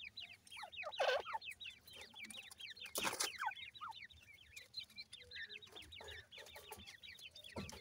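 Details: A brood of new-season grey francolin chicks keeps up rapid, high, downward-sliding peeps in busy overlapping series, with loud scraping and knocking noises near the start.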